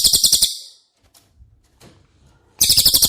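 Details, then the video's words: Cililin song used as training audio for a caged White-rumped shama: a rapid, bright, high trill of fast repeated notes, a near-silent gap, then the same buzzy trill starting again. "Masteran CILILIN Materi Wajib untuk Burung Murai Batu anda!!"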